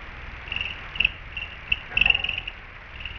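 Allen's hummingbird giving thin, high, dry chip notes at an uneven pace, sometimes in quick little runs, over a faint low background hum.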